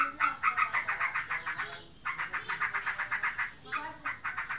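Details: Caged yellow-vented bulbul, reportedly in breeding condition or singing hard, repeats short buzzy pulses about four times a second in two long runs separated by a brief gap.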